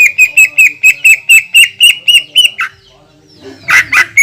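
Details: Loud 'tembakan' shot song of a greater green leafbird, meant to provoke rival leafbirds: a steady string of bright, clipped notes about four per second, a drop to a rasping note, a pause, then harsh squawky bursts.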